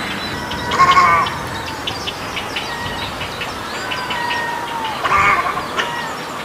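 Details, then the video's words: Egrets giving two harsh, croaking calls with stacked harmonics a few seconds apart, over a dense chorus of chirping birds and steady background noise. "Sound of egret"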